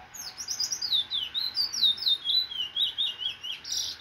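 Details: Caged Trinidad bullfinch, bred in captivity and nearly finished moulting, recorded 16 September 2024, pours out a continuous high warbling song of quick descending slurred notes, about two per second, with faint room hum below.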